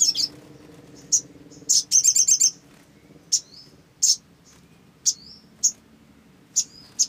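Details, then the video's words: Olive-backed sunbird played as a lure, giving sharp high chips interspersed with a quick burst of rapid twittering notes and short thin falling whistles after some chips. "SOGON GACOR !! PANCINGAN SOGON AGAR BUNYI"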